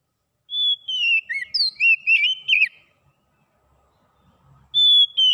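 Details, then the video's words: Oriental magpie-robin song played to stimulate a silent bird to sing: a long pure whistle, then a quick phrase of varied whistled notes and slurred chirps, and another sustained whistle near the end; otherwise quiet. "KICAUAN SUARA JERNIH PEMULIH KACER MACET BUNYI CEPAT GACOR"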